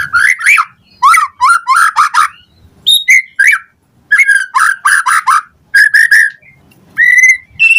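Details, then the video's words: Morning lure song from a white-rumped shama: rich, mellow double and triple notes repeated in rhythmic clusters, broken by a high whistle and a long clear sustained note. "Pancingan Murai Batu PAGI HARI EFEKTIF Bikin NYAUT RESPON Suara Burung Murai Jadi Gacor Full Isian"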